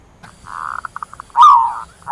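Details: Zebra dove flock call: a buzzy, rolling trill fragments into separate soft pulses, followed by one loud, drawn-out coo that slides downward, with another coo just beginning.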